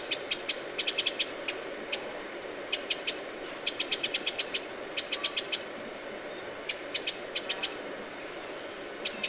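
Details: Eurasian wren alarm variant recorded at Lake Vänern, Sweden, late July 2017: quieter sharp ticks in small clusters and singles with longer gaps, over soft background noise.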